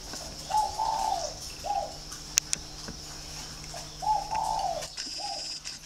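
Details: Resonant-voiced spotted dove kept by a breeder in Ba Vì, Hanoi, Vietnam, delivering two full cooing phrases: a clipped lead note, a drawn-out throaty coo and a short closing note, with steady background hiss and a couple of sharp clicks.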